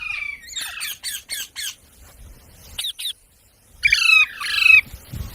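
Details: Talking parrot, said to mimic human speech, gives a quick run of five short harsh squawks, a pause, two more sharp notes, then two longer grating screeches with a ringing tone, in an otherwise quiet setting.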